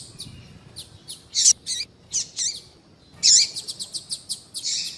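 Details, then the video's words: Female double-collared seedeater calls intended to get a male singing fast; high sharp chirps and looping notes, then a loud buzzy note followed by a rapid series of ticks. "Piado de fêmea de papa capim vai deixar seu papa capim cantando Muito RÁPIDO !"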